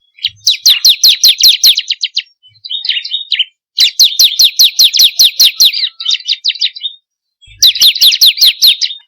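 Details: Bar-winged prinia, 'kristal' type, singing as a lure for captive birds; three bursts of shrill, fast downslurred chirps separated by softer twittering phrases and brief silences.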